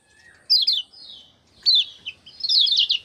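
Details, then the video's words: Common iora (kecial kuning) in full song, recorded 6 December 2024: a faint low whistle first, then bursts of high, sliding chirps separated by brief pauses, ending in a rapid, dense twittering phrase. "Joss Gacor Kecial Kuning Bikin Rajin Bunyi Ngejos Gacor"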